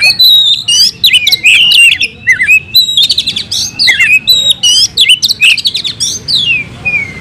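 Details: Fighting song of a caged oriental magpie-robin kept in Indonesia: loud, varied phrases of rich whistles, upslurred and downslurred notes and rapid chattering trills, nearly continuous for seven seconds.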